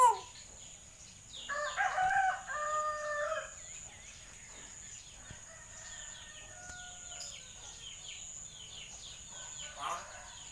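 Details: Common hill myna talking like a human: a short rough note, then a burst of loud nasal chatter, then soft, scattered, whistled phrases and a final rough sound.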